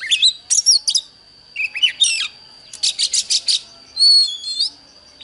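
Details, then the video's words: Oriental magpie-robin dueling with a wild bird, delivering quick varied phrases: sweeping whistles, harsh buzzy bursts and a fast run of repeated notes, with a constant faint high-pitched tone behind. "Chòe than Đấu với chim THIÊN NHIÊN"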